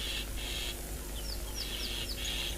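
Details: Burchell's starlings low in a leadwood tree in Tswalu Kalahari Reserve, South Africa, on a 14 January sunrise drive, give harsh rasping bursts and short upslurred whistles in an agitated mobbing chorus, possibly at a monitor lizard or snake in a hole, over engine rumble.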